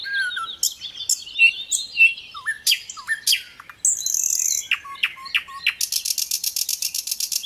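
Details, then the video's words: Little pied flycatcher in full song, a fast, varied run of sharp chirps, downslurred whistles and squeaky notes packed close together, ending in a rapid buzzy rattling trill. "Sikatan Londo Gacor isian MEWAH MASTERAN semua BURUNG TEMBAKAN RAPAT"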